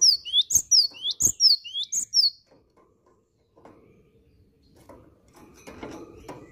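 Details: Energetic cinereous tit song: a brisk run of about four high whistled phrases, each rising then dropping sharply, delivered evenly in roughly two seconds, then quiet with faint knocks and room noise.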